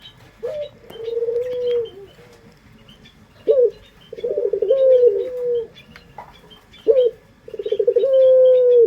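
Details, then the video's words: Puter pelung dove, a favoured local pet variety, cooing as a lure. Each coo begins with an abrupt rising note, followed by a pulsed, wavering hum held for about a second. Three coos in all, with light chirps behind. "Pancingan Suara Burung Puter pelung paling dicari bersuara merdu"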